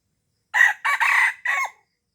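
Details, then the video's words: Red junglefowl crow from Aceh, Indonesia, used for luring wild junglefowl: a loud, rasping crow in four quick parts. A short opening note leads into two joined bursts and a falling final note. Quiet otherwise. "Ayam Hutan Aceh # Pikat Ayam Hutan Ori"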